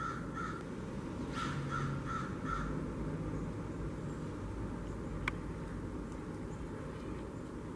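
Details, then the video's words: Blue jays at a kitchen-garden bird feeder on 13 October 2021 give a quick run of harsh, nasal jeering calls over the first three seconds, then fall quiet; steady low rumble and a sharp click throughout. "Blue Jays t the Bird Feeder"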